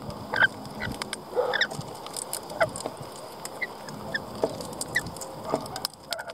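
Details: Lorikeets giving a run of brief shrill chirps and harsh screechy notes, roughly one every half second to second, against constant low background noise.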